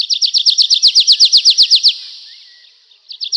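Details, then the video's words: In a night forest a nightingale sings a very even, rapid series of about fifteen sharp repeated notes that stops abruptly, then after a pause a new burst begins. "How beautifully the nightingale sings"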